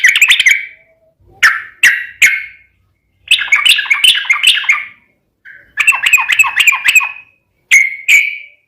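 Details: Yellow-vented bulbul, loud fighting-style singing intended to make other birds reply: fast, jumbled warbled phrases separated by a few single clipped notes and short pauses.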